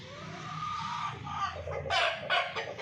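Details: Hen calling: a steady droning tone runs through the first half and is hard to separate from the bird, then loud, harsh broadband squawks burst out twice near the end.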